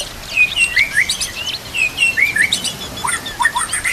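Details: White-rumped shama fill-in song for training, with nature sounds and trickling water: short curved whistled slurs in quick groups of two or three, with sharp high ticks between.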